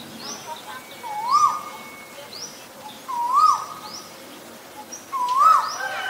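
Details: Asian koel giving three rising-then-falling whistled 'ko-el' notes, about two seconds apart, over short, high, upslurred chirps from other birds.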